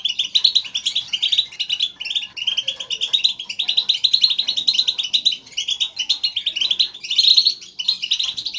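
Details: A group of European goldfinches gives spirited, continuous twittering chatter, used to stimulate caged goldfinches to sing; in the wild the call keeps birds in contact and signals presence. Dense, bright, rapid tinkling notes come in bursts with barely a pause.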